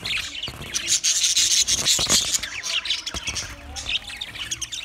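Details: Chorus of budgerigars from twenty pairs, a busy mix of thin high trills, chirps and scratchy chatter, with a few sharp clicks.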